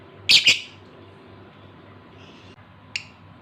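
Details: Male lovebird in breeding condition calling to a female: two loud harsh squawks in quick succession, a long quiet gap, then one shorter sharp squeak.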